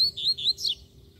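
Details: Free-flying double-collared seedeater (coleiro) that appears and sings, described as an aggressive bird calling for a fight: a brief run of high, slurred whistled notes wavering up and down, ending in a sharper falling phrase.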